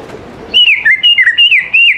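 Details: Greater green leafbird song used as a lure to get young leafbirds singing: after a half-second hush, a loud run of clear whistled phrases sliding up and down, linked with scarcely a pause.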